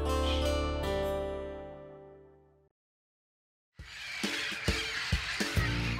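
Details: Plucked guitar chords ring out and fade to silence, then a strummed acoustic guitar with sharp percussive strokes begins; no animal is heard.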